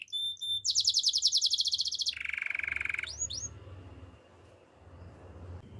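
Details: Gloster canary song used for song training: a very fast high trill, then a lower buzzy roll, two quick rising sweeps, and fading background rumble.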